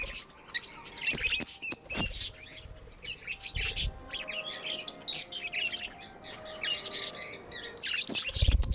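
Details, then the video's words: Pet budgies chatter with dense high chirps and warbles over a faint steady tone, with a few low thumps. "Budgies amazing love & chirping sounds"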